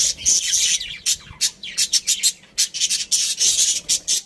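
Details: Budgerigars, a breeding pair and family, making rapid rasping chirps: short high scratchy bursts repeated several times a second in an even, chattering rhythm.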